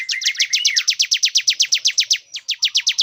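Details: Male bar-winged prinia, singing to lure a female into breeding condition, delivers a rapid, even train of sharp high ticks over a faint lower whistled note at the start, pausing briefly before continuing.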